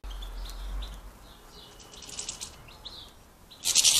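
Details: European goldfinches squabbling over a sunflower-heart feeder in an Irish village give brief, high, tinkling chips and twitters, a few each second, and a sudden harsh rustle bursts out at the end.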